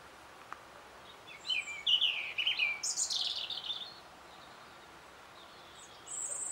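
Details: Spring 2014 European robin singing back to a played recording; a quick, varied phrase of high twittering and warbled notes lasting over two seconds, followed by quiet, then thin high whistles at the end.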